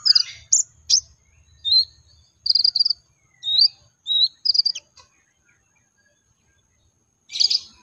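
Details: Brown-throated sunbird song played to make other sunbirds sing quickly: short bright chirps and tiny trills, some upslurred, in a five-second burst, then silence before a final buzzy note.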